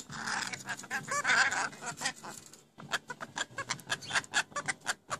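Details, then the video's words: Pet rainbow lorikeets, newly acquired, talking; they are said to say phrases like "What's for dinner" and "I'll cook it for you". A dense burst of harsh, garbled chatter gives way to rapid clicking, scratchy notes in quick succession. "My Rainbow Lorikeets talking like crazy"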